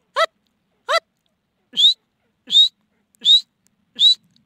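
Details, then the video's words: Francolin (teetar) call series: two brief, harsh, buzzy notes, then four clear, high whistles that rise at the end, repeated a little under once a second against silence. "teetar ki awaz|teetar ki boli"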